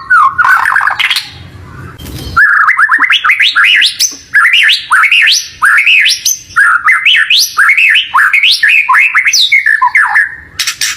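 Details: Lure recording of white-rumped shama song meant to get a pet bird singing: repeated bursts of rapid rising whistled notes climbing steeply, phrase after phrase, with a brief noisy patch early on.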